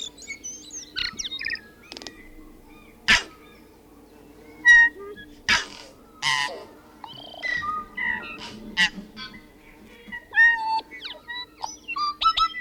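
A tui sings a varied jumble of ringing whistles, sharp clicks and cracking bursts in irregular phrases, over a steady low hum.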